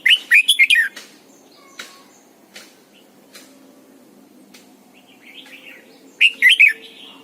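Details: Morning song of a caged decoy red-whiskered bulbul in the double-note style of an old wild bird, used for training others: rich warbled phrases open and close the clip, with scattered clicks and faint notes between.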